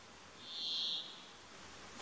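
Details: One harsh, nasal buzz from a Brambling, held for roughly half a second at a high, even pitch, then silence with faint background noise.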